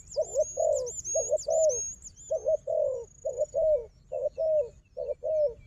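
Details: Fighting wild dove answering a strong decoy dove: a steady string of low double coos, each pair roughly a second apart, with high twittering whistles early on.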